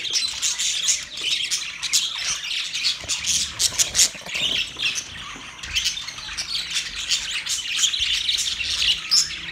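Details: Budgies in mating behaviour chatter continuously with bright, scratchy chirps and short squawks, packed tightly together and rising and falling in loudness over several seconds.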